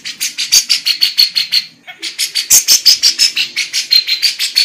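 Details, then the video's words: Singing female lovebird, its song filled with kapas tembak and cucak jenggot phrases: fast rhythmic scratchy chirps with bright whistled notes, a short pause near two seconds, then renewed chatter. "love bird betina Cengkok kapas tembak, cucak...gacor"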